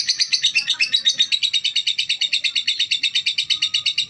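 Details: Female lovebird, noted as calm, producing a continuous string of high, raspy chirps, about three per second, slightly uneven at the start and then regular, in a quiet setting.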